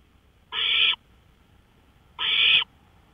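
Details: Owl on a porch in the early hours, 1:53 AM, May 5, 2013: two rasping, breathy screeches about a second and a half apart, with steady faint background hum between them.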